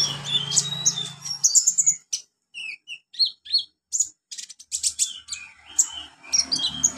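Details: Olive-backed sunbird song used to train young birds: high twittering chirps, short whistled slurs and sharp notes in irregular bursts, with a faint low hum at times.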